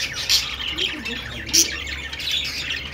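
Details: Budgerigars giving two loud, sharp squawks over a background of steady high chirping and chatter.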